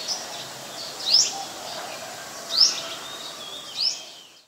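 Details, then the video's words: Olive-backed sunbird in the mangrove forest at the Sirinart Rajini centre: three sharp, high, rising chirps spaced over one second apart, with a quiet rushing background. "นกกินปลีอกเหลือง (Sunbird)"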